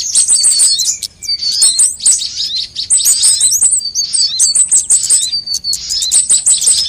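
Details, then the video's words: Sunbird sounds used to lure birds and prompt them to sing: very high, thin trills and rapid twitters in overlapping bursts, punctuated by sharp clicking ticks. "suara pikat semua jenis burung kolibri"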